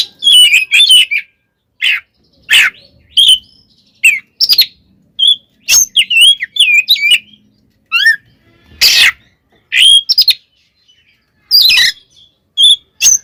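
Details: Kacer, or Oriental magpie-robin, sings an aggressive fighting song meant to rouse rival birds: clusters of sharp whistles and rasping bursts, with brief pauses between phrases and varied twisting notes.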